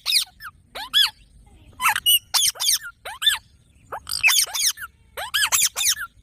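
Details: A parrot chatters in rapid clusters of shrill, squeaky, rasping notes, many bending downward, grouped in short bursts with tiny gaps and almost no background noise.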